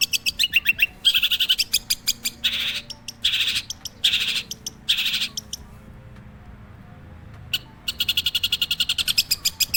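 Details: Long-tailed shrike song with quick ticking series interrupted by four loud harsh grating bursts, a pause of near silence, then a fresh run of fast even clicks.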